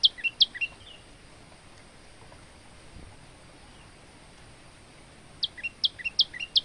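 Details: Male olive-backed tailorbird, recorded as a tutor song for other birds, giving short bursts of sharp, high, paired chips at the start and end separated by a long quiet gap with soft background hiss.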